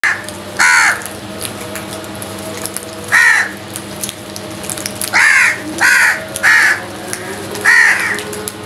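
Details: Crows fighting over food give loud harsh caws, single and in quick pairs, about seven across the stretch, each a broad rasping burst with a steady background hum.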